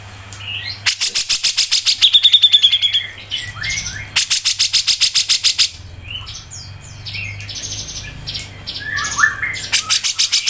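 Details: Grey-cheeked bulbul singing in the tight ngepik style, recorded for training songbirds: two bursts of rapid ticking notes, the first carrying a level trill, followed by jumbled chirps and slurred whistles. A low hum runs underneath.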